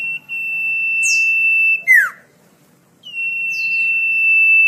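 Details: Song of a common iora, used to tutor caged songbirds: a long drawn-out even whistle breaks into a steep downward-slurred note, then a pause and another sustained flat whistle that swells louder.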